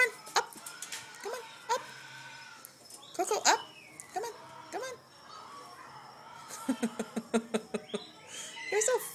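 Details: A female pet sulphur-crested cockatoo, being silly, gives short, harsh squawks and chattering bursts, then a quick run of clucking notes near the end. A person talks coaxingly over it, urging it to say "hola" and petting it.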